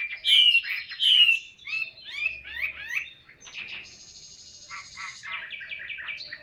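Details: Captive Chinese hwamei offered by a bird seller, singing in the style called 'ngũ trường cao cầu': two loud, clear, descending whistles, then a run of varied slurred and chattering phrases, and a steady high buzzy note near the end.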